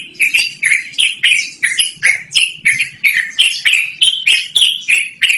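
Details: Yellow-vented bulbul in loud, clear, long-running song, suited for luring birds or as a training recording: bubbly, liquid notes bent up and down, repeated about three times a second in a steady, rolling chain.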